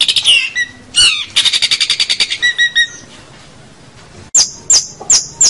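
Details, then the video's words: Long-tailed shrike (cendet) song: a burst of harsh chattering notes, then a fast even series of rattling trills, a short quiet pause, then three high sharp whistled notes. "suara cendet pentet gacor"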